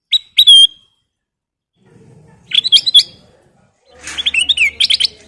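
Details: Ruby-throated bulbul (kutilang emas) singing in full, lively gacor style, used as a lure and training recording: short bright whistled phrases, rising and wavering, in three bursts with pauses, the last a rapid run of chirpy notes over faint low rumble.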